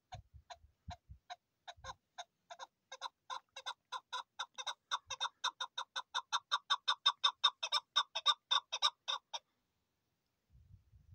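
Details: Chukar partridge calling: scattered clucks that speed up and grow louder into a dense, rhythmic chatter lasting several seconds, then stop abruptly; a few low thuds at the start and end.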